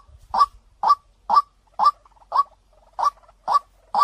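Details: White-breasted waterhen lure call, a clear-voiced recording used to draw other waterhens in: loud hoarse 'kwak' notes repeated about twice a second, eight in a row, with quiet gaps between them.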